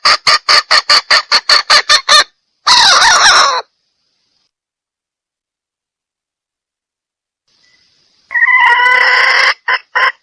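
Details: Hen red junglefowl calling to draw in males: a quick series of sharp clucks, then a longer rasping burst, a long silent gap, and a final harsh, drawn-out outburst with a few clipped notes.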